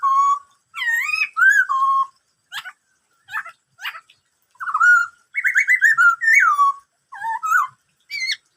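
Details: Black-throated laughingthrush singing many kinds of sounds in the 'bắt cô trói cột' style: steady flowing whistles mixed with short sharp clicks and a rapid trilled phrase, almost continuous throughout.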